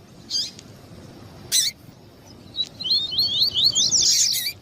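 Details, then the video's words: Male and female double-collared seedeater calling to stir up a male: a few harsh bursts, then a fast series of high, wavering slurred notes that rises into a brighter, louder burst at the end. "COLEIRO TUÍ-TUÍ E FÊMEA CHAMANDO PARA ESQUENTAR COLEIRO TUÍ-TUÍ"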